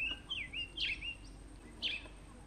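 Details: At Letaba Rest Camp, Kruger National Park, a Kurrichane thrush gives thin, high whistled notes that slur down and up, with sharper bursts about a second apart; faint background hiss.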